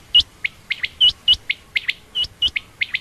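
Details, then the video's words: Rapid high chirps from a female quail, common or rain quail, coming about every quarter second in an uneven, continuous series. "common quail/Rain quail sound)chinga batair ki Awaz)Звук самки перепела"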